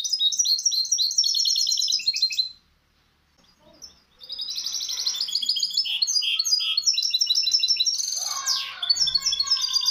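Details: Tutor recording of a misto hybrid singing for young birds to learn. A rapid high trill pauses, then the song resumes with rolling repeated notes, clear chirps and a downward sweeping phrase, ending in more fast trilled notes.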